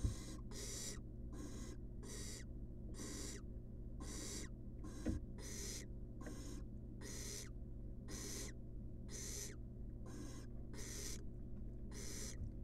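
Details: Rasping, hissing begging screeches from a wild baby barn owl in a nest box as it gets a rat, repeated rapidly in a long series, with a few knocks and a constant low electrical hum.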